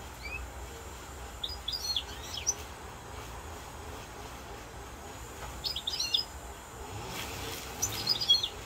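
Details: European goldfinch song recorded in Corsica, 7 November 2022: three brief clusters of high, tinkling chirps spaced a few seconds apart, with a constant low rumble beneath.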